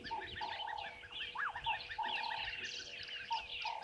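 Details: Red-billed buffalo weavers chatter at Gowrie dam waterhole, Djuma Game Reserve, Sabi Sand Wildtuin, South Africa, 10:00 on 11/04/2023: crowded high squeaky notes run throughout, mixed with repeated short mid-pitched hooting notes and a sharp rising call.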